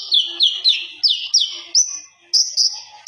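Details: Common iora song used as a master recording: a series of high whistled notes each sliding downward, repeated about every third of a second, then steady high whistles.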